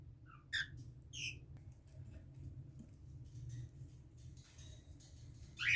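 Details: A 21-day-old baby cockatiel chick gives a few brief, squeaky, rising peeps over soft rustling.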